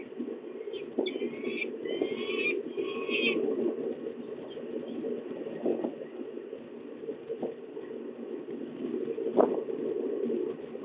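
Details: Peregrine falcon at De Mortel, 28 April 2024: a short run of harsh, harmonic calls in quick succession during the first few seconds, then only a steady low rumbling background with a few scattered knocks.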